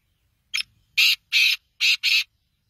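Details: Harsh, rasping call of a black francolin: a short lead note followed by four loud, scratchy notes in two pairs, clear against a quiet background.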